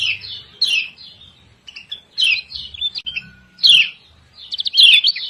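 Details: Female lemon-bellied white-eye from Lombok giving a lure call to prompt lazy birds to sing: scattered bursts of high, scratchy downslurred chirps separated by brief pauses, the last burst more rapid and stuttering.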